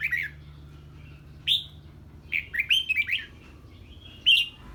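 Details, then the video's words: Red-whiskered bulbul singing when an unfamiliar bird is heard: scattered whistled notes, then a quick run of four or five lilting slurred notes, ending with one sharp whistle. "Chào Mào Hót Ché Khi Nghe Tiếng Chim Lạ"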